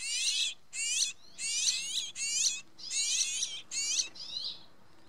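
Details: Rock Sparrow (Petronia petronia) chick inside its nest in Spain in June, filmed by infrared camera, begging with bursts of high, harsh, buzzy chirping while the female feeds it.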